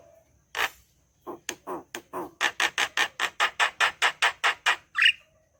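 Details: Javan myna giving a loud series of about fifteen harsh, rasping chattering notes, evenly repeated roughly every quarter second, ending with a short whistled note; quiet indoor background.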